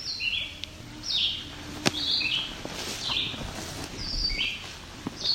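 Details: A family of at least five White-breasted Nuthatches, including young, gives quiet, short, high, down-slurred calls about once a second, overlapping. Recorded July 17, 2019 on rocky alvar near Cape Chin North, Bruce Peninsula, Ontario, over soft hiss.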